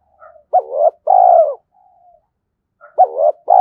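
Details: Spotted dove used as a fighting decoy for wild doves, uttering two-note coos, a quick rising syllable and a longer sliding-down coo, repeated twice with a soft low hum between.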